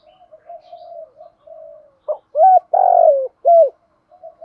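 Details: Decoy spotted dove in a cage, recorded for its fine voice used to train wild-caught doves. Soft low murmuring coos first, then a sharp note, an arched coo, a long burry falling coo and another arched coo, with quiet final notes.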